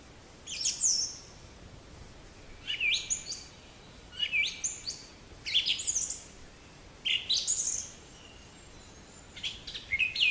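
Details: Black-capped chickadee, a small nonmigratory songbird of North American deciduous and mixed forests, repeating its call about every one and a half seconds: sharp high opening notes dropping into a run of husky, buzzy 'dee' notes.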